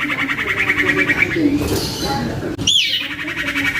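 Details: Captive young common iora singing as a lure for other irioras. A rapid buzzy trill is followed by a softer, noisy stretch, then a sudden high, arching whistle note.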